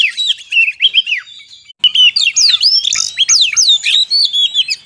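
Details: Oriental magpie-robin lure song for attracting wild birds in forest: a rich, varied run of whistled notes, quick sweeping slurs and downward swoops, delivered rapidly with scratchy chatter between phrases.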